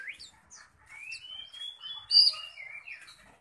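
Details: Oriental magpie-robin singing fiercely, ready for competition: a long rising whistled note drawn out over a second, followed by sharp high chips, a loud bright squeak and twittering phrases.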